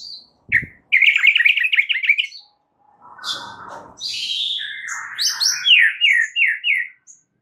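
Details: White-rumped shama song from a tutor recording: a fast trilled rattle, a soft noisy rustle, then bright repeated falling whistles in a rhythmic series.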